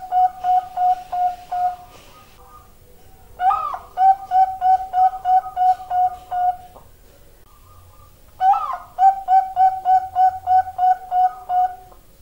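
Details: Zebra dove repeating its song three times: each phrase opens with a brighter rising note, then a fast series of identical soft coos at a steady pitch, about three per second, separated by short quiet gaps with faint low background murmur.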